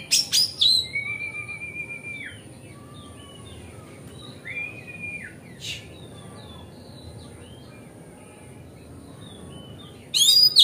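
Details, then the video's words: Oriental magpie-robin singing in a relaxed, continuous 'ngeplong' style, used as a lure to make other magpie-robins spread their tails. Loud harsh bursts open and close the clip, with clear flat whistles and short twittering notes in between over a steady hiss. "Pancingan Kacer Gacor Ngeplong Santai Bikin Buka Ekor Kacer Lain"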